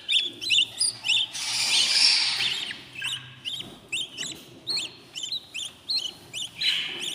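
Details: Baby budgerigars in a new nest at day 14 give rapid, short high chirps, roughly three per second, with a longer harsh, wheezy hiss early on, over a faint low hum.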